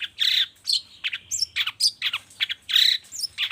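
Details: Loud grating notes mixed with thin high whistles tumble out quickly in a long-tailed shrike lure recording, played in the morning to set silent shrikes singing.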